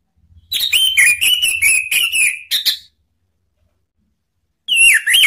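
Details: Orange-headed thrush lure sound meant to provoke rivals into singing openly: a rapid run of sharp whistled and chattering notes for about two seconds, a pause, then a falling whistled phrase begins again.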